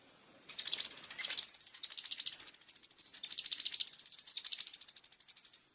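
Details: Plain-throated sunbird in full 'tembakan' delivery, a clear-voiced masteran song: dense, rapid, very high twittering with thin steady whistled notes woven in, pouring out almost without pause.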